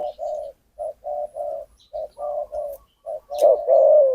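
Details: Wild spotted dove in Phrae, Thailand, cooing near bird-trappers in a run of soft, low, hollow notes, about a dozen in four seconds, the final phrase louder and fuller.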